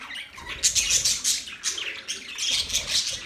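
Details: Budgerigar chirping: a quick, dense string of sharp high squeaks and scratchy twitters, louder in bursts near the start and again near the end.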